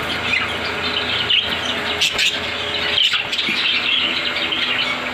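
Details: In a home bird setup with ringnecks, cockatiels, budgies and sun conures, a chorus of parrots keeps up busy chirping and shrill chattering calls, overlapping constantly.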